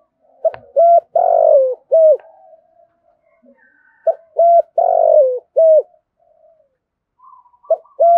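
Spotted dove giving soft, low hollow coos in a short-short-long-short phrase, repeated about every three and a half seconds; the space sounds quiet and slightly indoor.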